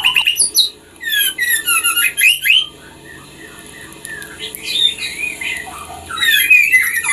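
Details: Female white-rumped shama singing to stimulate a male into breeding condition; bursts of varied whistled and chirping phrases, a quieter stretch midway with scattered notes, then another burst, over steady background hum.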